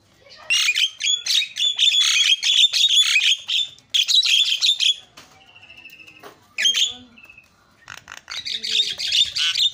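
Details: Javan myna varied song meant to agitate other mynas: long bursts of loud scratchy chattering with shrill whistles, interrupted by a quiet stretch with a soft trill, then chatter resumes.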